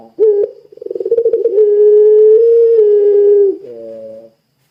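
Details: Puter pelung Barbary dove giving a long coo meant to stir other doves into calling: a short note, a rapid stuttering run, then a steady sustained tone rising gently before a lower rasping end.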